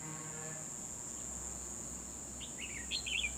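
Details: Caged decoy Red-whiskered bulbul singing to lure wild birds during trapping on 12 December 2020; a short burst of warbled, chirpy phrases near the end over a steady high insect drone.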